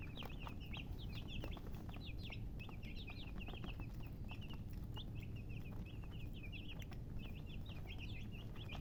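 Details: Chorus of chicken chicks: quick, high, down-slurred peeps repeated in dense bursts, with a few short clicks and a low rumbling background.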